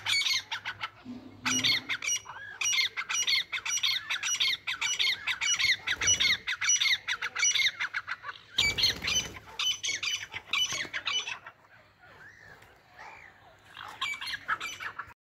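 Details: Hand-tame captive grey francolin, locally called Irani or Dakhni teetar, giving dense harsh squawking calls in rapid runs. A loud rough burst comes midway, then the calls thin out into softer, separate curved notes toward the end.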